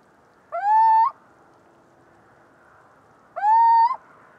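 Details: Little owl, Athene noctua, gives a pair of even, rising whistled hoots nearly three seconds apart, each sliding up quickly then holding a level tone before a small upturn at the end.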